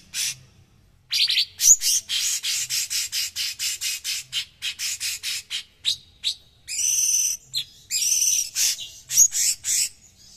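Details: A cucak cungkok bulbul, kept as a song-tutor bird prized for its coarse, dense voice, sings a fast chattering song of high, bright notes, about three per second, with a few longer, fuller bursts toward the end.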